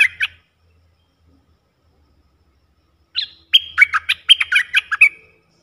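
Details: Wild Red-eyed Bulbul answering a caged decoy bird during lure trapping: one short chattering burst, a pause of nearly three seconds, then a quick run of sharp, slurred notes rising and falling.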